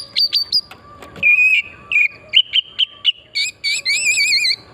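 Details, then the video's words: Oriental magpie-robin in energetic song used as a lure: rapid chips, steady whistled notes repeated in quick succession, closing with a wavering trilled whistle, over light background noise. "Pancingan burung kacer pesona hutan murni gacor"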